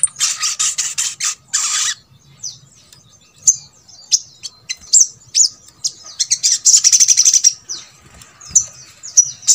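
A Little Spiderhunter gives very high, sharp chips in fast runs, with bursts of rapid repeated notes and short pauses between them.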